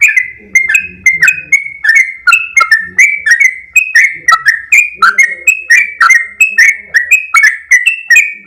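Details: Sooty-headed bulbul in full 'gacor' voice: fast chains of clear whistled notes with clicky onsets, about three per second. Faint low rumbling sounds beneath in places.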